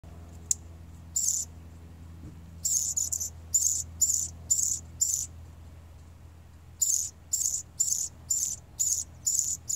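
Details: A male hummingbird sings very high, thin, squeaky notes in short scratchy bursts, about two a second, in two runs over a faint low hum.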